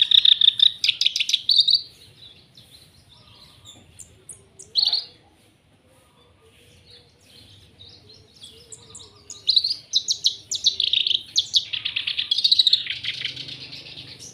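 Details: Black-browed reed warbler in lively song, with high and low phrases: a rapid chattering burst at the start, then near quiet with an isolated note, and a fresh run of harsh, buzzy, repeated notes in the last five seconds.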